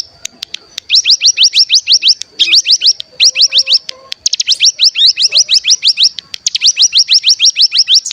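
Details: Bar-winged prinia (cigun) decoy recording meant to stir other birds into singing: rapid bursts of sharp, upslurred high chirps strung into fast trills, several bursts separated by short pauses, with faint lower whistles beneath.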